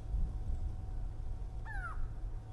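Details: Grey go-away-bird (Crinifer concolor) at Djuma Game Reserve, South Africa, during an afternoon safari drive in July 2011, gives only the "go" part of its call, one short nasal falling note near the end, over a low engine rumble.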